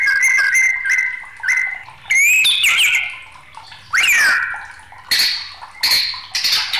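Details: Agitated white-rumped shama song: paired level whistles, then sweeping upward and downward slurs separated by pauses, and harsh, high bursts toward the end.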